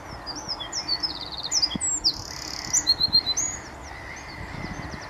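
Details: Eurasian wren, one of several singing on the morning of 1 April 2014 at RSPB Saltholme, Canon SX50 HS: an energetic rush of very high trills, buzzes and rapid ticking notes over about four seconds, with faint background rustle.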